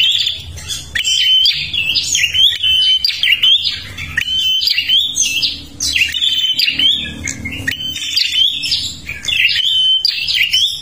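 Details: Prinia from Kalimantan singing vigorously, used as a lure for other birds: a continuous stream of high, sharp chirps and buzzy trills, broken by short clear whistles and quick rising slurs, with brief pauses near six and ten seconds.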